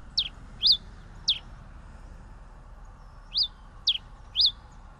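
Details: Pileated finch giving sharp, high, slurred chip notes in loose pairs and singles, clean and thin, with a faint low background hum.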